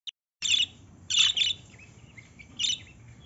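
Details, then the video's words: Lovebird giving shrill, harsh chattering squawks in three bursts about a second apart, with softer twittering between them. "Love birds sound"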